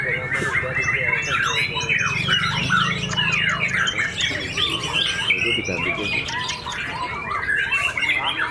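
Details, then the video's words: Contest-winning white-rumped shama just past its moult, singing as an aggressive fighter; rapid mix of whistles, sweeps and rough chatter, a low droning hum in the background during the first half. "BOMAT MB UNIK SUPER FIGHTER PASCA MABUNG NGAMUK PODIUM SATU"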